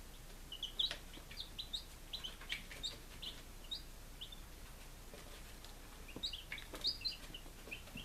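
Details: Five-day-old chicks kept at home in Lunenburg, Massachusetts, recorded in July 2017: many high, short, slightly rising peeps overlapping at an irregular pace, with faint clicks and steady background hiss.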